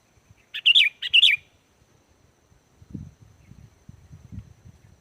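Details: Sooty-headed bulbul singing on a lure track for wild birds: two quick chirpy, bubbling phrases in close succession, followed by soft low rumbling noise.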